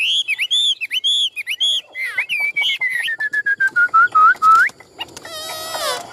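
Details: Chinese hwamei kept in a cage and sold as a songbird, giving rapid repeated whistled notes that give way to a descending run of clear slurred whistles, then a harsh burst at the end.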